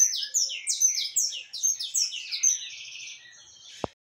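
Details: Saffron finch singing loudly among loose birds: a rapid series of bright, down-slurred chirping notes repeated about every quarter second for two and a half seconds, then a softer buzzy trill, ending with a sharp click.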